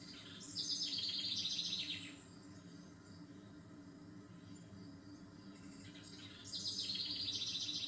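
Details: Bird song: two bursts of fast, high, buzzy trilling a few seconds apart, each about a second and a half long, over a steady low hum.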